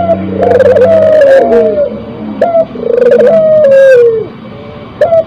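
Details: Spotted dove in breeding condition sings repeated coo phrases. Each starts with a quick sharp note and runs into a long vibrating coo that slides downward; the phrases overlap closely.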